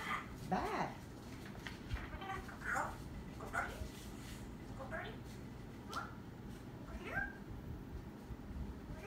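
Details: Parrot talking indoors: a run of speech-like syllables, the first with sliding pitch, then short separate utterances about every second, over a low steady room hum.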